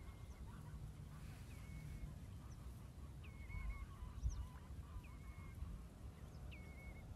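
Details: Black-winged stilt (Himantopus himantopus) calling in a polder in the Nieuwe Dordtse Biesbosch, Netherlands: short, nasal yelping notes that rise then hold level, about every one and a half seconds, over steady low wind rumble and faint other birds.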